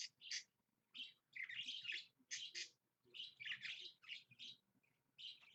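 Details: Pet budgerigar recorded early on a Monday morning, chattering in bursts of bright, scratchy chirps and warbled notes separated by short pauses.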